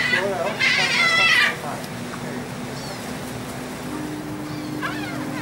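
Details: A gull on a ferry deck from Texel, Netherlands, during feeding in March 2014 gives one loud, drawn-out squealing cry, followed by quieter engine hum and a faint distant call.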